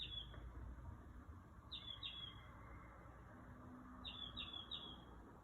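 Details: Bird singing outside a house at about 2 am at night. It gives clear, high, down-slurred whistled notes, first singly and then in a quick run of three near the end, over a low background hum.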